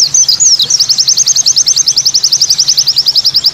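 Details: A white-eye sings in 'tembakan' variation song. A few swooping slurred notes lead into a steady run of sharp, high chips repeated about eight times per second, crisp and metallic, with a low hum behind.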